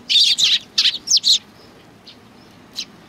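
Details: Close sparrows at a Tenmangu shrine, Japan, 4 July 2019, giving a loud burst of five rapid, harsh chirps within about one and a half seconds, then two softer single chirps.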